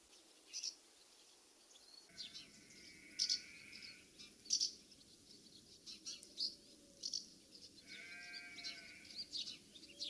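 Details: Common house martins circling their nest site in the UK, giving brief scratchy chirps spaced a second or so apart. A steady tonal drone with rising and falling overtones comes and goes in the background.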